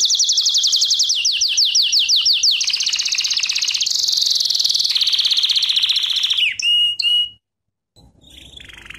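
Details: Canary singing lesson for training: fast descending whistled sweeps, then long high rolling trills and a buzzy section, a short pure whistle, a pause, and a quieter trill resuming.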